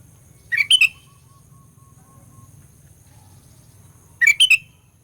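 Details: Lure song of a sooty-headed bulbul, meant to rouse rival birds: two brief chirpy phrases, each three quick rising whistled notes, about three and a half seconds apart, with a soft low hum between them.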